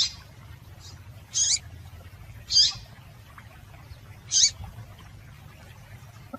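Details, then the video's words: Female double-collared seedeater calling to stir a male into singing: five short, high, sharp chip notes spaced irregularly over several seconds, with a steady low hum underneath. "Piado de Fêmea de Coleiro para Esquentar Coleiro"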